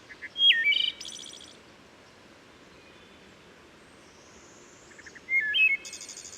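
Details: Wood Thrush singing beside Herring Run stream in Susquehanna State Park near Havre de Grace, Maryland, where forest and a steep stream give rich reverberation. Two fluted phrases about five seconds apart, each with short whistled notes and then a high, ringing trill.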